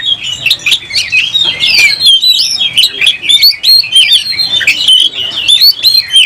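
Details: Fighting oriental magpie-robin with fanned tail gives quick, varied song: looping whistles and clipped chirps repeated about ninety times a minute, irregular and high-pitched.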